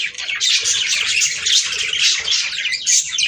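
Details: Budgerigar chorus aimed at prompting breeding, loud continuous chirping and warbling chatter with sharp whistled notes, several birds overlapping.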